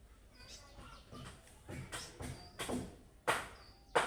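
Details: Budgerigar giving chick-like calling notes meant to make other budgies answer: a run of short scratchy chirps and thin high whistles, irregularly spaced, ending in two sharp loud clicks.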